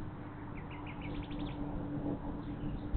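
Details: Bald eagle at a nest beside the Monongahela River in West Mifflin, Pennsylvania, on a steel plant nest camera on 25 May, as an adult flies in with a fish. It gives a faint series of thin, high chittering notes that quicken over a steady low hum.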